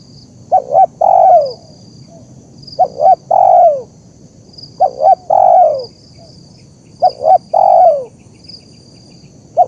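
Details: Zebra dove, recorded to train birds and draw wild doves to reply: four regular phrases, each a pair of short clipped notes then a long downward-sliding coo, about every two seconds, plus a starting note at the end.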